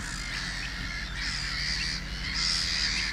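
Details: Pied avocet in summer, heard on a walk: overlapping shrill, piping calls, likely from several birds, forming a sustained high chatter over a constant low wind rumble.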